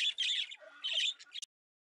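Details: Pet budgie, a trained female, uttering raspy, high chattering squawks in two bursts, ending with a few quick clipped notes before silence.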